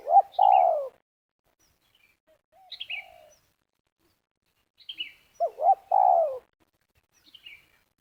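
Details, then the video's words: Spotted dove in Liwa, West Lampung, Indonesia, recorded by a community that lures doves for snare trapping. A long descending coo is followed later by a full double-note-and-coo phrase, with a quieter phrase between. Sharp high chirps from another bird recur throughout. "Pikat Terkukur / Pakai racik / Terkukur Meruas"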